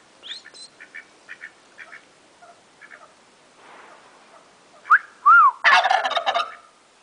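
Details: Soft spaced clucks from a turkey, then a person whistles two swooping notes and the bird answers at once with a loud, rapid rattling gobble.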